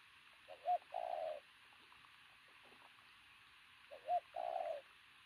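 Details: Strongly built pigeon with a loud coo repeats its two-part call twice, about three seconds apart: a brief rising note, then a drawn-out low hum. A soft background hiss runs throughout.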